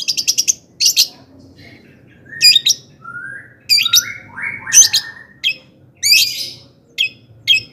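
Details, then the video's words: Long-tailed shrike singing energetically to provoke other shrikes; rapid high ticking bursts, then a series of rising whistled slides, followed by harsh chattering phrases with short pauses between. "Kicauan cendet gacor FULL EMOSI AMPUH Di jadikan PANCINGAN CENDET AGAR CEPAT GACOR DAN NAIK EMOSI"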